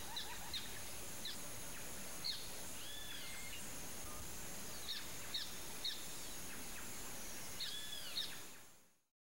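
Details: White-faced whistling duck (Dendrocygna viduata) pair calling: clear, high, arched whistles in short groups of two or three, every second or so, over a steady hiss of background noise.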